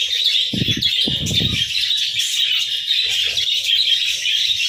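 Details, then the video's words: Budgerigars chirp in the morning, continuous high warbles and squeaks from many birds, with two short bursts of low fluttering sound early on. "Chirpy Mornings with Budgies!"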